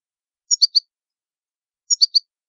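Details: Goldfinch from Italy giving short triple chirps, three quick bright high notes, repeated once after about a second and a half of silence.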